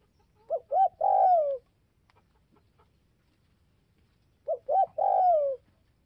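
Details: Spotted dove calling to provoke other doves: two mellow, low phrases about four seconds apart, each made of two short coos followed by a longer, rolling coo that slides downward at the end, against a quiet background.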